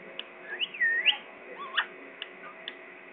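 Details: Pakistani parrot giving a clear looping whistle that rises then dips and climbs again, followed by a shorter upward slide and a few faint clicks and ticks.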